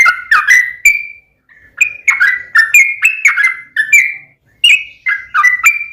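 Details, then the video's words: Sooty-headed bulbul singing a run of clear, slurred whistled notes, roughly three a second, with a brief pause early on and another near the end before the whistles resume. "trucukan gacor ROPEL PANJANG"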